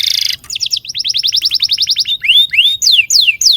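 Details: Long canary song for prompting young canaries to sing: a brief rattling trill, then a steady run of quick descending notes about four per second, followed by slow looping whistled slurs and falling sweeps.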